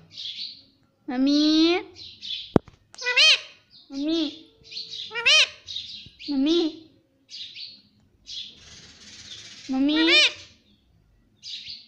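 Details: Pet parrot, a mitthu, talking and said to say mummy and papa: repeated loud, arching, word-like voiced phrases through the clip, interleaved with short hissy high chirps and one sharp click.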